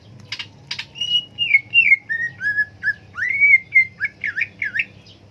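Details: Cak ijo singing a varied whistled phrase: two sharp clicks, then a run of clear whistled notes stepping downward, a rising slurred whistle, and quick looping twitters at the end; faint low hum underneath.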